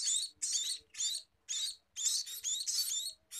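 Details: Scaly-breasted munia at feeding time making loud, hoarse, buzzy chirps in clusters of two or three, with short pauses between them.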